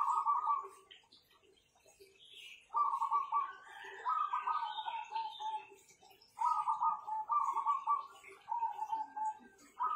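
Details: Powerful-voiced perkutut, the zebra dove, owned and kept, sing a series of trilled, rolling coo phrases, each about a second long, repeated in groups of two or three with short gaps, some notes dropping slightly in pitch, over faint chirps.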